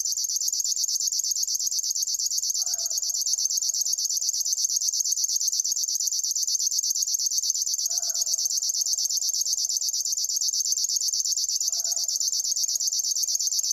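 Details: Unbroken, highly regular reeling of a River warbler, a dense chain of rasping high pulses. A faint low two-part call repeats about every five seconds beneath it.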